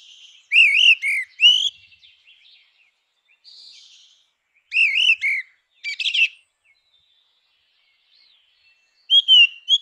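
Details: Grey-winged blackbird in natural habitat, singing loud fluting whistled phrases mixed with high twitters and a scratchy burst, in groups spaced a few seconds apart, with quiet gaps between.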